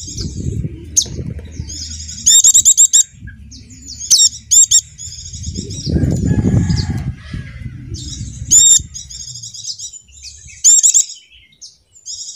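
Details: Javan dakun white-eye singing, used as a lure to get silent caged white-eyes to sing. High, sharp chirping notes in quick clustered bursts, separated by pauses and accompanied by low fluttering rumbles like wingbeats or handling noise.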